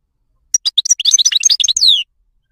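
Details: Moroccan wild goldfinch delivering a short, rapid phrase of tinkling, chattering notes that speed up into a dense warble and end on a long descending whistle.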